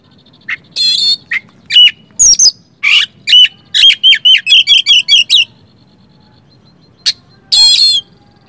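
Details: An oriental magpie-robin in full song, used to get reluctant birds to sing: harsh buzzy bursts and rattled notes, then a rapid string of short sharp whistles, a long pause, and a final rasping buzz.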